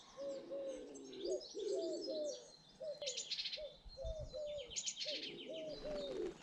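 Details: Mixed British garden birdsong, with a steady series of soft, low cooing notes repeated every half second or so beneath busy high-pitched twittering and a few louder chirping bursts.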